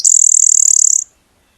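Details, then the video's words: A Blue-winged Warbler, a spring migrant in the Chippewa Valley, gives its nasal 'blue wing' song: a thin, high, insect-like buzz about a second long, finely pulsed, then silence. "The blue-wing song is a nasally version of his name. Blue wing, blue wing."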